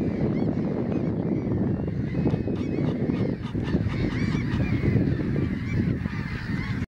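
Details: Breeding-season gull colony near Syktyvkar, Russia: a dense, unbroken chorus of many birds calling together, squealing and laughing notes layered without pause above a continuous deep background rumble.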